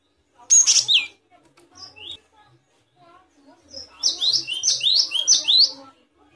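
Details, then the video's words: Great tit singing, recorded as tutor material for captive songbirds: a sharp high note, scattered soft chirps, then a run of five rapid, evenly spaced high two-part phrases repeated about every third of a second. "Suara burung gelatik batu"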